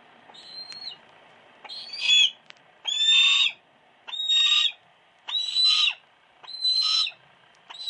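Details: Captive female hawk kept at a private house, recorded on a compact camera: a series of six loud, shrill, slightly rising calls, each about half a second long and spaced roughly a second apart, over a faint steady hum.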